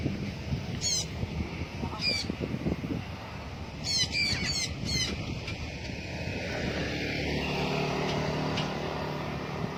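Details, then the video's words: Free-flying blue-backed parrot producing short, grating squawks, single or in a tight burst of four, over a steady low rumble of outdoor noise. "BLUE-BACKED PARROT free flight night&day"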